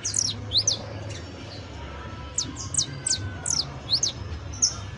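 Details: Saffron finch, called canario criollo, singing sparse bright descending chirps: a quick opening cluster, a pause, then single and paired notes at roughly half-second intervals.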